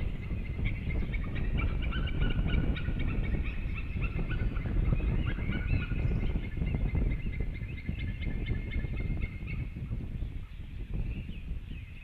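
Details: Male and female white-tailed eagles back at their nest at 18:28, calling before departing: rapid, uneven runs of sharp yelping notes continue for many seconds, partly masked by strong wind noise.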